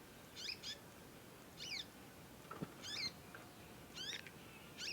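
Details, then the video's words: Young conin songbird learning to sing, calling long and persistently: short harmonic chirps with sharp downward sweeps, given in pairs roughly every second, over faint steady background hiss. "ANAKAN CONIN, NYECET PANJANG BELAJAR BUNYI & GACOR"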